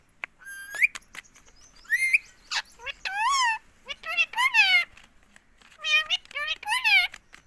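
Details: Pet green ring-neck parrot from India talking without pause, saying "mummy" over and over: a string of nasal, speech-like mimicked syllables in bursts, each with sweeping tones, plus a few sharp clicks between phrases.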